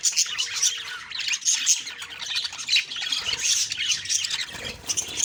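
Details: Budgerigars chirping in the morning: a dense, continuous chatter of high, scratchy warbles and sharp squawks from several birds, with no pauses.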